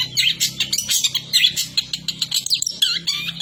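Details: Mimicking the kapas tembak bird, a long-tailed shrike delivers a varied stream of clear whistles, slurred notes and short chirps in quick succession over a faint low background hum.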